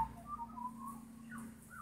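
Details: Australian magpies carolling softly in the distance while one sunbakes after a bath, mellow fluted whistles that rise and dip, over a steady low hum like an idling engine.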